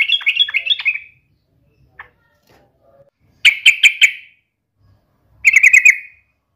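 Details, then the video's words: Yellow-vented bulbul singing in a challenging, rival-taunting style: short bursts of bubbly, chattering notes with descending slurred ends, separated by pauses of about two seconds. "trucukan gacor TARUNG MELEDEK LAWAN"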